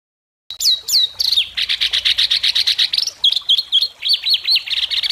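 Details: Competition White-rumped shama in Indonesia with sharp besetan mimicry, marked by judges: two sweeping whistles, then a rapid series of buzzy chirps about four per second, ending in repeated hooked whistled notes.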